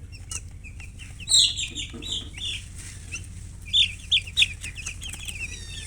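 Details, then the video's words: Chicken described as a colour hen: scattered high, slurred chirps in a few short clusters, with a brief flutter of wings near the start and a low hum underneath. "silly chicken chirping sounds with murgi hen color chicken"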